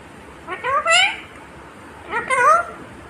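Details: Green Indian ringneck parakeet mimicking speech; two drawn-out, bending, voice-like phrases about one and a half seconds apart, each with bright harmonics and a meow-like rise and fall, in a quiet room.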